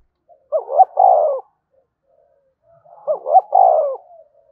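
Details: Spotted dove coo, a sound for stimulating other doves to coo. Two matching phrases roughly two and a half seconds apart, each two fast rising notes followed by a long, descending coo, with near silence between them.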